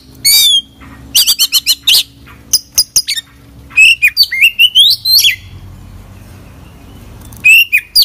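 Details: Active Oriental magpie-robin delivering a full song rich in mimicry: rapid clusters of shrill chirps and clicks, then long rising whistled phrases, a quiet stretch, and more high chirps at the end.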